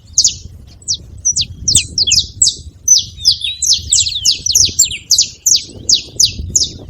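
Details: Free-living saffron finches at a feeder, noisy chorus of high down-slurred chirps in irregular clusters, some overlapping, over a faint low background murmur.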